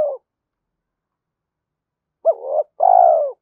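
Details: Spotted dove coo used to excite other doves: the tail of one coo, then after a silent gap a sharp note, a wavering middle note and a long, rough, falling coo.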